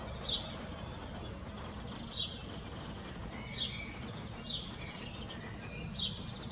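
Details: House sparrow chattering on a neighbour's roof: short, bright chirps repeated every one to two seconds over a steady low rumble of background noise.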